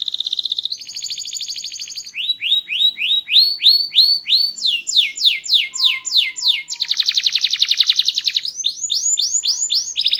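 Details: Loud, varied, melodious song of a small-bodied canary singing actively: a steady trill, then series of repeated swooping whistled notes in changing phrases, a harsh buzzy section, and further quick upslurred notes.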